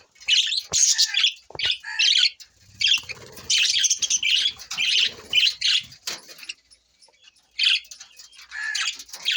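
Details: On June 20, 2024 budgie parrots chatter in scratchy, squeaky bursts, some overlapping, with soft rustling and fluttering underneath and short quiet gaps between calls.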